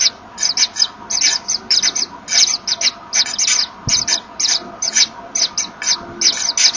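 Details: Common Kingfisher nest in the afternoon of 24 August 2013: the female, carrying a small fish, and the male blow at each other to locate one another before she feeds the chicks. Scattered, rasping hiss bursts come in uneven groups.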